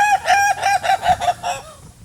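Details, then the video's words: Ayam Ketawa rooster, a rare breed kept only for its crow, giving its famous laughing crow: a rapid run of about seven short, harsh, cackling notes, each slightly falling, fading out at the end. "So let's actually take a listen to this infamous laughing crow."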